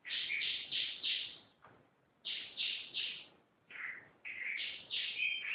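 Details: Canary singing gacor style in bursts of three to four buzzy, bright repeated notes separated by short pauses, ending with a few varied whistled notes.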